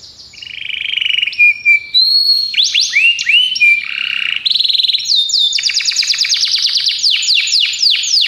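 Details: Belgian canary training song with a mix of slurred whistles, rising notes and rapid rolling trills in varied phrases, ending in fast repeated falling notes.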